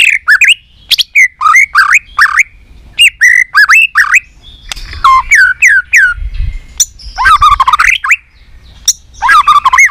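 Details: Caged white-rumped shama in fighting competition song: rapid bursts of upswept whistles and sharp clicks in loud phrases, with a harsher chattering passage near the middle, varied and energetic.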